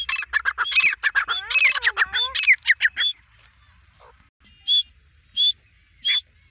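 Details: Grey francolin, the teetar, in one of its Desi or Dakhni local forms: three seconds of dense, strident chattering notes with sliding squeals, then three lone thin whistles spaced well apart.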